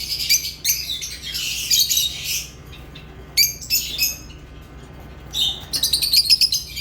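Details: Lovebirds give bursts of shrill, grating chirps and squawks, a busy spell, then a quieter gap near the middle before rapid chatter resumes, with a low background hum.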